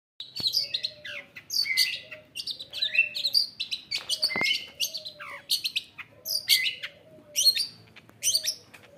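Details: Caged, newly acquired long-tailed shrike singing loudly with mimicked fill-ins: varied high chirps and buzzy squeaky notes in bursts about every half second, with occasional clear whistled slides, plus a faint low hum underneath.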